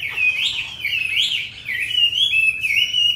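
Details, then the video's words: Short run of rich, fluid whistling from a caged hwamei in Hanoi, Vietnam, known for a fine wild-style voice; phrases rise and dip smoothly, then flatten into steadier held tones. "Họa mi 5633b đẹp giọng rừng hay mau mỏ"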